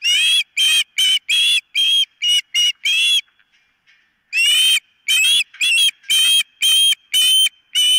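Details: Osprey at the nest filmed by a live nest camera, calling in loud, high, ringing whistled chirps in two bursts of about eight notes each, separated by a short quiet gap.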